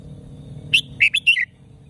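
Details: Caged red-whiskered bulbul from Thailand delivering a quick warbled phrase of four or five bright, slurred whistled notes in under a second, over a low steady background hum.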